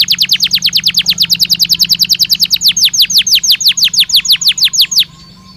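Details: Belgian canary singing a training stimulus song meant to prompt a caged canary to respond: rapid trains of sharp downward-sweeping whistled notes, around three per second, ending abruptly with faint background hum.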